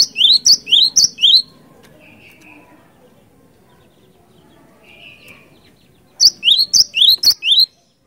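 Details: Cinereous tit singing vigorously in a rolling style, played as a lure. Two bursts of rapid two-note phrases, each a sharp high note dropping into a rising slurred whistle. One burst opens the recording and the other comes near the end, with faint soft notes between.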